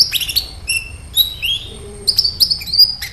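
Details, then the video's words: Sunbird singing as a lure to prompt other birds to respond: bright high chirps, thin sustained whistles and quick twittered phrases with short pauses between bursts, background otherwise quiet. "SEMUA Burung KOLIBRI CUEK LANGSUNG RESPON DAN GACOR Dengan PANCINGAN INI!KOLIBRI NINJA GACOR"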